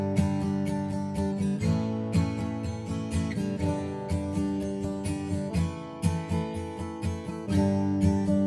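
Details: Strummed acoustic guitar music plays steadily throughout, with no animal voice heard.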